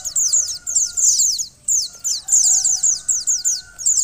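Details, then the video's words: Mountain white-eye female calling to rouse a male into song: quick clusters of shrill, sliding high chips separated by brief pauses, with a low steady whine in the background. "pleci betina untuk mempercepat buka paruh pleci jantan"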